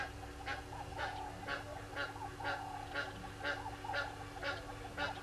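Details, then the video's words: Morning at Gowrie dam waterhole, Djuma Game Reserve, Sabi Sand Wildtuin, South Africa, 18 July 2020, 06:30, on a live camera: helmeted guineafowl giving rasping, cackling calls in a steady rhythm, roughly two per second, over a constant low electrical hum. "Helmeted Guinea Fowls"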